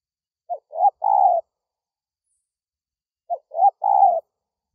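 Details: Spotted dove coo used to call in wild doves: two phrases about three seconds apart, each a short note, a rising note, then a longer, drawn-out mellow coo, mid-pitched and clean against silence.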